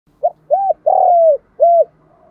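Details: Spotted dove lure call used to attract other doves: one phrase of four coos, a short note, an arched coo, a long drawn-out falling coo, then a final arched coo, clean and without background.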